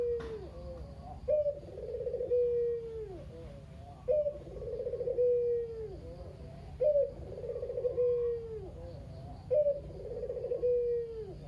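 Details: A single kept male Barbary dove of the local kugeru type, described as very talkative, used as a lure to get lazy doves calling; four steady purring coos, one about every two and a half seconds, each ending in a drawn-out falling note.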